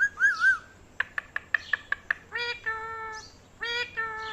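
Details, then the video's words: A talking parrot gives a wavering whistled phrase, then a quick run of sharp clicks, then two drawn-out voiced syllables with a rich, nasal, speech-like tone, indoors. "Very cute parrot talking | Funny parrot talking video"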